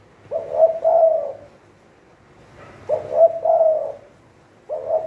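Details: Spotted dove kept as a decoy bird for trapping: low soft cooing phrases of several notes on one pitch, repeated about every two seconds in a quiet room.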